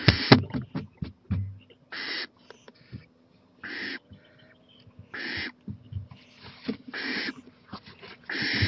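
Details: Owl on a porch at night, 11:26 pm, April 23, 2018, growing more daring near a playground. Repeated rasping, hiss-like screeches come in irregular bursts, mixed with sharp knocks and clicks early on.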